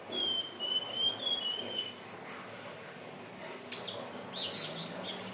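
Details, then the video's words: Hill blue flycatcher singing, recording meant to lure birds: a long, clear, high warbled whistle wavering over nearly two seconds, followed by thin, higher chirping notes and soft background hiss. "SUARA BURUNG TLEDEKAN BIRU/SIKATAN NINON/SELENDANG BIRU"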